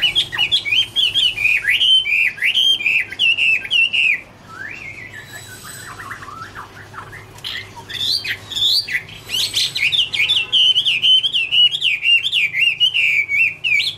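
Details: Chinese hwamei (Garrulax canorus) in autumn song: long, fast rippling whistled phrases, a softer lower-pitched interlude of descending notes mid-way, then a return to loud, rapid, wavering whistles.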